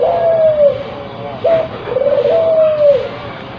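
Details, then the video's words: Spotted dove in breeding condition, a crossbred bird, giving two long low coos, each opening with a short rising note and sliding gently down, over steady hiss. "Suara Burung Puter yang Memukau"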